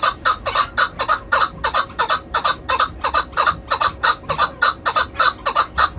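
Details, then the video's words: A Chukar partridge kept as a hunting (shikari) decoy gives rapid, repeated clucking chuck notes, about three per second, harsh and mid-pitched, in a steady run with faint background noise. "shikari Chakor"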